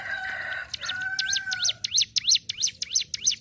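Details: Ciblek gunung (prinia), a songbird kept by bird-song hobbyists, singing energetically in the rapid ngentrok style. A sharp repeated V-shaped chirp comes about three times a second, after an opening of long steady whistled tones.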